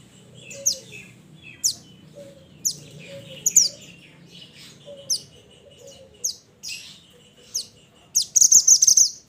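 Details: Mountain mantenan, the Pied Bushchat, singing actively while calling its companions: a long series of high, quick downslurred chirps, ending in a loud buzzy chattering trill, with soft low whistles underneath.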